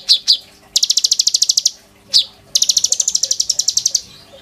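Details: A kolibri ninja (Van Hasselt's sunbird) sings a lure song for training other birds. Two sharp high chips are each followed by a long, rapid, ringing trill.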